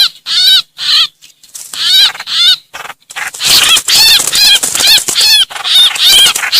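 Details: Trao trảo distress call, a bird crying for help to summon its flock, played to lure greater coucals and trao trảo. Harsh, rasping notes with stacked, wavering bands, repeated rapidly and growing denser and noisier in the second half.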